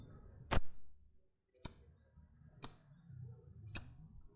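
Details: Lovebird ticking, a fighter bird whose calls are meant to draw other lovebirds into long ngekek trills. Four piercing, very high, clipped chirps come roughly one per second against near silence and a soft low murmur.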